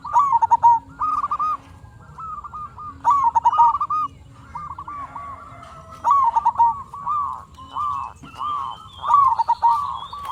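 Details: Energetic local zebra dove song used as a lure for other doves; repeated phrases of short bouncing coos, each finishing in a quick tumbling trill, arriving roughly every three seconds with brief gaps between.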